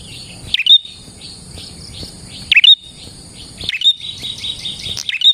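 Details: Prinia song for luring prinias: quick chirp-and-whistle phrases repeated about every two seconds, with a burst of faster fainter notes near the end, over a steady high insect-like hum.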